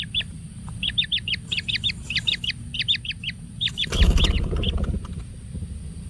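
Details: Kingfisher young in a wild nest being fed frogs give quick groups of three or four sharp, downslurred chirps, repeated about twice a second, then a brief broadband rustle.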